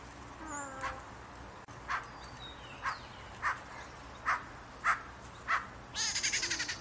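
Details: Rufous-naped wrens, seen fighting and taking coconut fibre around a house: a few falling whistled notes, then harsh, raspy bursts about every 0.6 seconds, ending in a fast, grating chatter.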